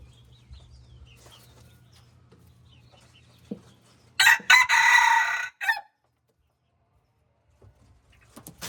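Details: Mixed red junglefowl crowing: after near-silence with faint clicks, one loud, harsh, broadband crow lasts about a second and a half, breaks briefly, then cuts off abruptly into silence.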